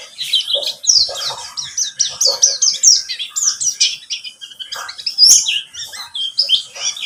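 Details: White-eye of the buxtomi type, used as a lure recording to prompt other birds to sing: a fast, continuous stream of high, sweet twittering notes with rapid slurred chirps, overlapping phrases suggesting more than one bird.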